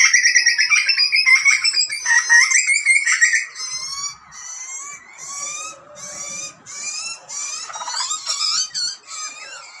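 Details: Hungry butcherbird chick begging as wild parents feed it in Australia; opens with a loud continuous rasping wail, then softer rapid chattering notes and thin whistled tones.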